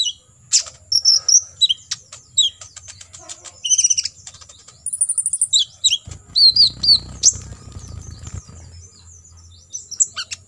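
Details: Olive-backed sunbird tutor song, 'tembakan isian' style: varied very high chips, falling slurs and a fast buzzy trill, with low rumbling and fluttering noise partway through.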